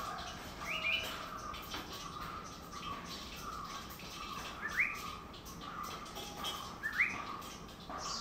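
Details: Yellow-browed bulbul (Acritillas indica) in Idukki, Kerala, gives short, sharp rising chirps about every two seconds, over a steady hiss of insects and other faint bird notes.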